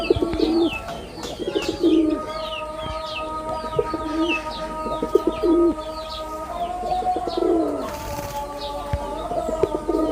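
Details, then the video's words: Male red-bordered wild pigeon performing its call: low, soft rolling coos repeated every couple of seconds, under a busy chorus of high chirping small birds and a steady tonal hum. "লাল বডার বুনো কবুতরের অসাধারণ ডাক"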